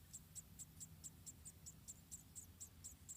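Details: Around four munia nestlings in Indonesia beg as the mother feeds them individually, producing evenly spaced high, sharp chips roughly every quarter second over a faint rumble.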